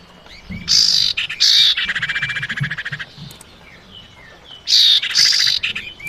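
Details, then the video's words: Female common iora calling the male, used as a lure: two loud harsh buzzy bursts, each running into a fast rattling chatter lasting about a second, the pair repeated after a pause of about three seconds. "suara pancingan burung cipau betina panggil jantan"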